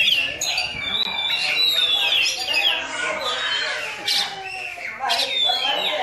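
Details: Oriental magpie-robin song copying a Javan myna: long descending whistles and harsh rasping squawks, broken by brief pauses, then sharp explosive notes toward the end.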